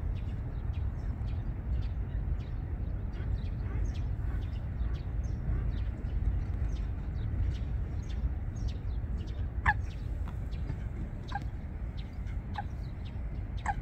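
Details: Eurasian coots, a pair building their nest in water plants on Wangsong Lake; after a long stretch of low rumble and faint ticks, four short sharp falling calls sound in the second half.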